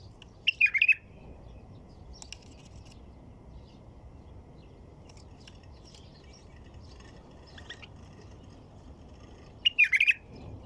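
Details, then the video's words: White-eared bulbul giving a brief bubbly phrase of fluid whistled notes near the start and again near the end, with scattered faint chirps and low constant background noise in the long gap between. "تغريد بلبل طور"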